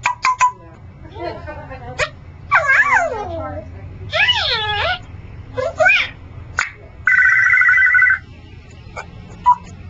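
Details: Pet male Congo African grey parrot talks indoors in short speech-like phrases with gliding harmonics, followed by a steady buzzy tone lasting about a second and a few soft clicks.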